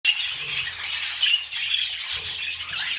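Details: Pet budgerigars mating as they begin a new breeding cycle: dense, continuous scratchy chattering and squawks, high and busy, with sharp bright chirps standing out and a low hum underneath.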